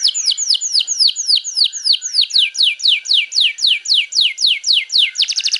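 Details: Canary singing in the afternoon, a kept bird in full voice: a long, very regular trill of rapid descending sweeps, about four per second, ending in a faster buzzy rattle.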